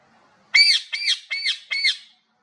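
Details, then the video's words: Cat-like meowing from a parrot: four evenly spaced, rising-then-falling harsh calls, each a bit under half a second long. "mithu parrot makes cat sounds, parrot talking meow meow"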